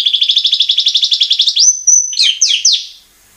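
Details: White-rumped shama (murai batu) lure song: a fast steady trill of about twenty identical notes, a clear high sustained whistle, then three loud harsh downward notes before silence.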